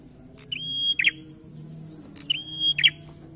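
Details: Challenging 'narung' song of a prinia: two matching phrases about 1.7 seconds apart. Each is a clipped note, a sustained level high whistle, then a rough, chattering, downward-slurred ending. A faint low hum sits underneath.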